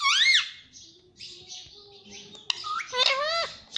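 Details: Pet ringneck parrot indoors, said to talk, saying mummy and papa: loud arched squawks and wavering, speech-like chatter with sliding tones, ending in a rising then falling screech in a small room.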